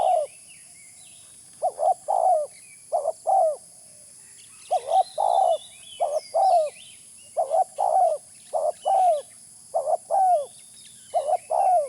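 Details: Spotted dove cooing as a trapping lure, with a long run of paired low notes. A short clipped coo is followed by a fuller falling coo, over and over at a brisk, uneven pace. Faint chirps of other birds are audible behind.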